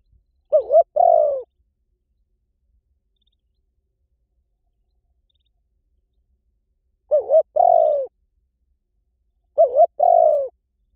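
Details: Spotted dove lure call: three widely spaced coo phrases, each a quick wavering note and a longer falling coo, with long silent gaps of up to six seconds between them.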